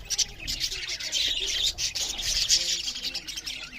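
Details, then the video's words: Several budgerigars chirping while eating, a steady stream of high, rasping twitters and bright squeaks woven into continuous flock chatter. "Beautiful Budgerigars parrots Chariping loud with Something Budgerigars Eating"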